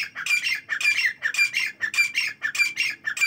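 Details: Morning calls of partridges: a steady run of loud, rasping, scratchy notes in rhythmic pairs, about one and a half per second, continuing throughout.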